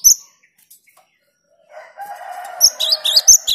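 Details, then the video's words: Gelatik batu, the cinereous tit, in song meant to provoke rivals: one brief high note, near silence, then a low rumbling background under which quick bright two-part notes break out. "Suara Gelatik Batu/Wingko Gacor Jernih bikin emosi LAWAN"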